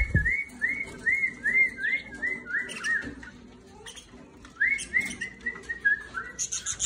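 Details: Budgerigar song: a series of about seven warbled, rising-and-falling whistled notes repeated rapidly, a pause with scattered scratchy chirps, then another run of similar looping whistles ending in buzzy chatter.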